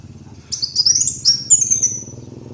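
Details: High-pitched twittering song of a kolibri wulung sunbird for luring: a single phrase of rapid thin slurred notes, fading at the end, over a quiet low hum.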